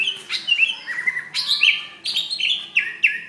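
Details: Greater green leafbird fighting call, May 2016, used to draw out and train other birds: rapid, full-toned slurred whistles tumbling down the scale in quick succession, with a buzzy edge.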